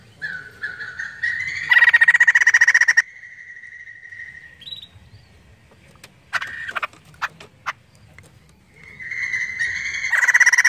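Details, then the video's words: White-crested laughingthrush singing to prompt other birds: whistled notes lead into a loud pulsed trill, a long even whistled tone, scattered sharp clicks and chips, then a rising trill at the end over low rumbling. "POKSAY JAMBUL GACOR UNTUK PANCINGAN BUNYI"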